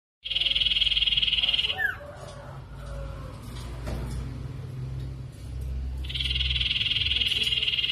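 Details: Mangrove whistler song used as a lure to make another sirtu answer: a loud, even, buzzy trill of fast pulses lasting about 1.5 seconds, then a short down-slurred note, a quiet pause with low hum, and a second trill starting.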